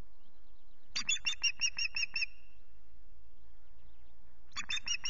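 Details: Osprey at the RSPB Loch Garten nest on 19 April, morning, during repeated intrusions by another osprey: a burst of about seven harsh, ringing chirps in quick succession, a pause, then another chirping burst begins, over faint background hiss.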